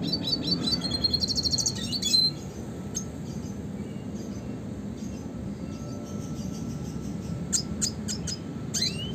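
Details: Red siskin singing classic rolling phrases for songbird training: a two-second burst of rapid, high twitter, then long spaced-out single chirps and a final rising whistled note over a low hum.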